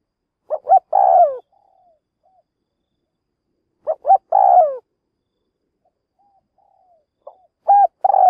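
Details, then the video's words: Decoy spotted dove calling to attract wild doves into a trap: soft hooting coos, two short notes leading into a drawn-out rolling coo, phrases spaced a few seconds apart with silence between them. "Mồi lụp gáy kích bổi"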